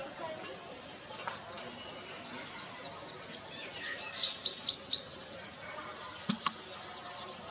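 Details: Purple sunbird (Cinnyris asiaticus) singing in courtship: a quick burst of about seven thin, high, upward-sweeping notes over roughly a second, set among faint scattered high chirps and low background noise, with two sharp clicks near the end.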